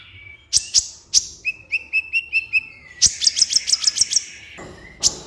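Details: Kolibri ninja sunbird singing energetically in a master recording for tutoring captive birds and prompting quiet ones to sing: sharp high chips, then an even series of short mid-pitched notes, then a fast run of high chirps, one closing chip.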